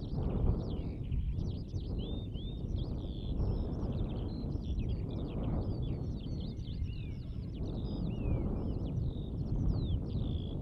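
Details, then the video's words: Latvian recording of a Eurasian skylark pouring out its long, unbroken song: high, fast twittering with slurred whistles, rising and falling notes and trills, against a steady roar of wind. "Lauku cīrulis Alauda arvensis"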